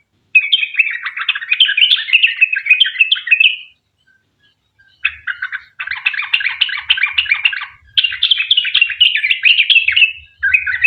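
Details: Bursts of rapid chattering song from a sooty-headed bulbul in the long 'ropel' style, used to lure others to sing. Three dense bursts are split by a short silence.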